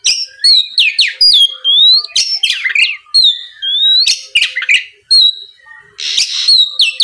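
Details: An Oriental magpie-robin delivers loud rising whistles, slurred notes and brief harsh buzzes in quick succession, a song used to provoke a rival into answering.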